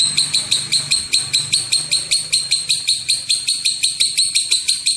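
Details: Lovebird giving a long ngekek call, used to provoke other lovebirds into calling: a continuous, high-pitched chattering of sharp notes repeated in an even rhythm about two or three times a second, over a low background hum.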